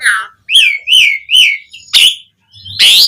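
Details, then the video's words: Song of an Asian pied starling used as a lure for other starlings: three clear, arching whistled notes in succession, then harsh, broadband squawks. "Suara Jalak Suren Gacor Ocehan Ampuh Buat Pancingan Burung Jalak Agar Langsung Nyaut"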